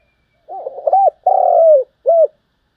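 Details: Spotted dove, a strong-voiced lure bird, in 'thúc gù' cooing: soft rising burble, paired bowed coos, a drawn-out rolling note sliding lower, ending on one clear arched coo.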